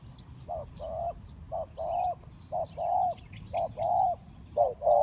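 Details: Spotted dove used as a decoy to lure wild birds into a ground trap, giving paired coos, a short note then a longer rolling one, repeated about five times, with faint rural background noise.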